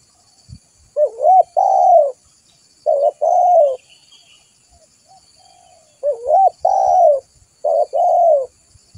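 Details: Spotted dove coos used to lure other doves: two matching phrases of four hollow notes, a short rising coo, a long slurred coo, then a clipped coo and a falling coo, on a nearly silent background.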